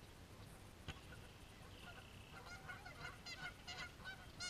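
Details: Fighting geese; a long steady whistle-like tone gives way to bursts of harsh, rapid honking that grows denser toward the end over low background noise.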